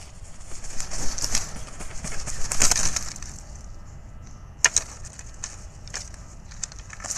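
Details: Bald eagle pair meeting at their nest, where the nest is tidied and the male arrives with a fish, recorded 01/12/2023: high, thin chittering bursts rise and fall irregularly, with two sharp clipped notes near the middle and steady low background rumble.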